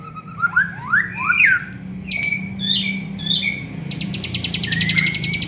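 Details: Varied song of a young white-rumped shama being trained: rising and falling whistled slurs, a pause, then a rapid buzzy series of high repeated notes ending in a long rising whistle.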